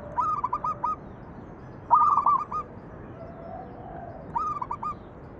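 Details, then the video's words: Cooing of a zebra dove, the local perkutut, meant to draw other doves into song: three bright phrases of quick, stuttering, mellow notes, spaced about two seconds apart. "PANCINGAN BURUNG PERKUTUT MANGGUNG"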